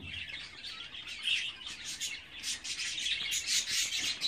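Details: Twenty-four-day-old budgerigar chicks give a short burst of shrill, rasping chirps and squeaky high notes in a steady, uneven chatter.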